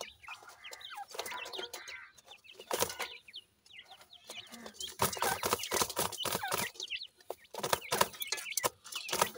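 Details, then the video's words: Several grey francolin chicks playing: rapid thin peeps and curved chirps run together amid loud clicks, taps and scuffling, with a short quiet gap partway through. "goray teetar kay goray bachay in the playing,chicks voice"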